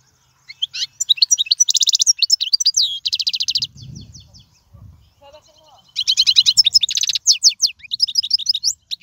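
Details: European goldfinch song used to teach young birds: long runs of rapid twittering and buzzy trills, interrupted midway by a low muffled sound, then bright chattering song again.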